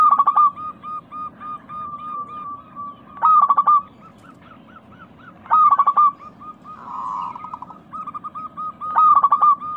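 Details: Local zebra dove cooing, a recording meant to stimulate caged doves that have stopped singing. Bursts of loud rattling coos recur every three seconds, linked by quieter rows of clipped coo notes, plus a brief soft rustle.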